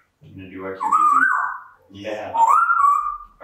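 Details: Pet female African grey parrot indoors during her usual morning routine, chattering in two speech-like phrases of about a second each, harmonic and voice-like, rising into a sustained nasal tone, with a pause between them.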